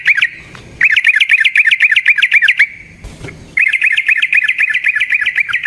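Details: Yellow-vented bulbul in a long rolling lure song meant to provoke other bulbuls into singing: fast bursts of bubbly chattering notes, about four a second, broken by short pauses.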